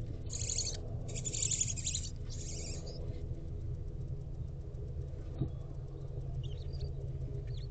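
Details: Barn owl owlets, four hatched with one egg left, in a nest box on 10 April 2023 at 11:28 am; three harsh, broad hissing bursts over the first three seconds, then a steady low hum with faint scattered ticks.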